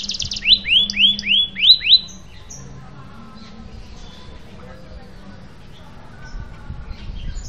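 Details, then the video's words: Canary lure song meant to coax a silent, stalled canary back into full singing and rolling: five loud, rapid upswept whistled notes in a two-second burst, then quiet with faint distant chirps over a steady low hum. "Pancingan Kenari Macet Bunyi dan BISU bisa langsung Gacor dan Ngeroll Lagi"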